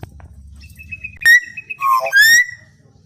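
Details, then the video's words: Common hill myna song used as a natural lure to get other mynas singing: a loud, rich, steady whistle, then a sharp harsh note, a dipping slur and a strong rising whistle, all within about three seconds. "Pancingan suara burung beo masih alami kicauan burung beo"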